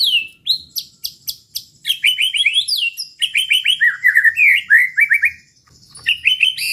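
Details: Rich, varied song of a white-rumped shama for provoking rival birds, with repeated sharp notes, quick slurred whistle series, and descending chattering phrases, broken by a short pause.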